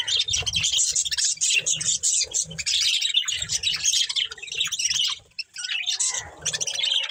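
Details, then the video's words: Budgerigar breeding pair chattering in a budgie family: bursts of bright, high twittering and squeaky chirps separated by short gaps, with a soft low rumble in the background. "Beautiful Budgies Chirping Sounds"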